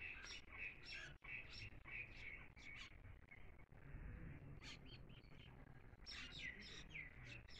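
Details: A newly trapped bimaculated lark (Melanocorypha bimaculata) in Shamani, Khyber Pakhtunkhwa, on 8 February 2024, gives bursts of bright, chirpy twittering notes at an uneven pace over steady low rumbling noise.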